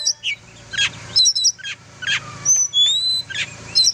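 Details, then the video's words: Oriental magpie-robin singing, a recording meant for training other birds: short, separate high chirps and thin whistles roughly once a second, with one long pure whistle, over a soft low hum. "Kicau burung kacer"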